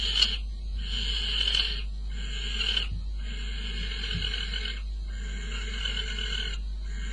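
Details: At 04:45 on 22 May a male barn owl brings prey to the female at the nest; drawn-out breathy hissing screeches, about four long ones, with soft thuds and a low steady hum beneath.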